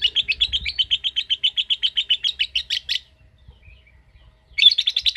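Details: Rapid chattering ngekek from a lovebird, quick shrill pulses for about three seconds, a pause with faint chirps, then the fast trill starts up again.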